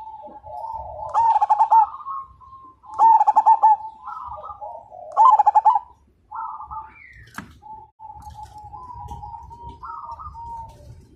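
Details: Perkutut, a zebra dove of Majapahit stock, singing actively as a fighter: three strong throbbing coo phrases about two seconds apart, then quieter answering coos from other doves and a single sharp click.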